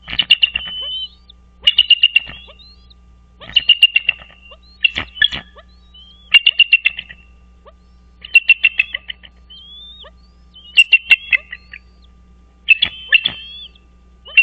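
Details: American bald eagles calling from a nest on Dale Hollow Lake, Kentucky-Tennessee border, early morning of 4 March 2023: eight bursts of shrill, stuttering chitters, each ending in a thin whistle, repeated about every two seconds over a faint low hum.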